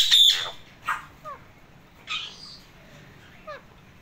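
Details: Male Indian ringneck parakeet in a happy mood: a loud, harsh squawk opens, followed by a few shorter scratchy notes and small downward-sliding chirps spaced about a second apart.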